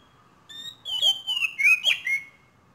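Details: Young Asian pied starling learning to vocalise: a short sequence of thin whistled notes sliding up and down, with a few sharp chirps, over quiet background.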